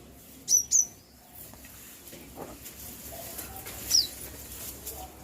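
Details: Sharp, very high chirps from a bird, two quick notes at the start and a single down-slurred one later, with soft background noise between.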